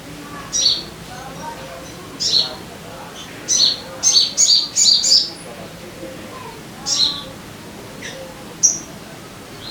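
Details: Crimson sunbird (sogon) song, meant to prompt caged birds to sing quickly: high, sharp chirped notes in clusters, a run of five rapid notes mid-way, then spaced single tweets.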